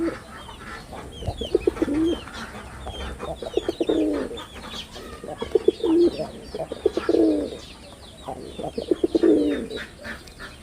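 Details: Male red-bordered wild pigeon performing: deep, throaty rolling coos repeat about every two seconds, each opening with a few clicky pulses, while small birds chirp and twitter higher above.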